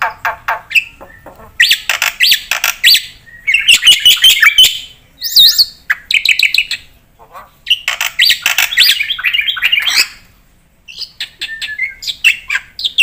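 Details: Javan pied starling in a varied full song: bursts of harsh chatter, buzzy squawks and looping whistles, separated by short silences.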